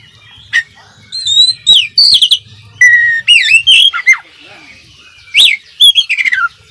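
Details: Oriental magpie-robin song meant as a master recording for training a kept bird: bright whistles, swooping slurred notes and quick chattering bursts, delivered in short varied phrases with brief pauses, over a faint low hum.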